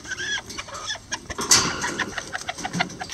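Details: Lavender bantam chickens at their nest, two miniature roosters helping a hen build it, make soft clucks mixed with dense scratching and rustling clicks, with one sharp high squeak midway.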